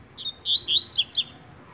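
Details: Double-collared seedeater, brown plumage, singing tui tui style during a contest: a soft introductory note, then clear rising whistles followed by quick high downward-slurred notes, over a faint low background.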